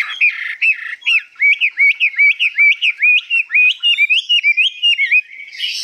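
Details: Captive hwamei, newly arrived and 85% tame, delivers its high, long-phrased song as a run of bright, upward-hooked whistled notes repeated about twice per second, steady and loud throughout.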